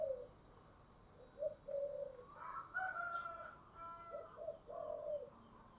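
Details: Spotted dove singing in the 'giọng thổ' style: soft, low, hollow coos in short and drawn-out notes, partly masked by higher calls of other birds and a steady background hiss.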